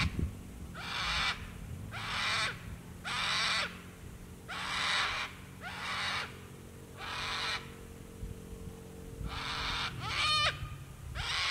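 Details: Sulphur-crested cockatoos calling at sunset by the water at Lake Broadwater, Western Downs, Queensland, Australia: about ten harsh, grating screeches, roughly one per second, over a low steady rumble.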